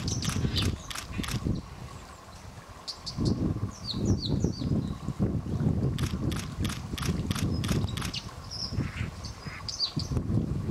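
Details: White-throated dippers (Cinclus cinclus) in a territorial fight on the Thin river at Warby, France: sharp, high, scattered zit calls in brief clusters over the steady roar and splashing of fast-running water.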